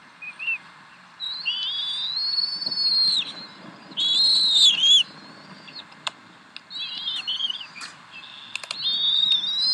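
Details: Decorah nest of bald eagles, 26 April 2012 at 7:50 pm CDT, mother feeding three eaglets; repeated high thin whistled squeals in bursts of one to two seconds, with faint clicks between.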